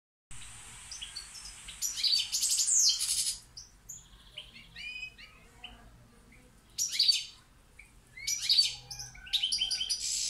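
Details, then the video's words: European goldfinch of the balcanica subspecies from Pirot singing bright, high twittering bursts that come in clusters around two, seven and eight-and-a-half seconds, separated by quieter, scattered chirps. "Carduelis balcanica Pirot Štiglić"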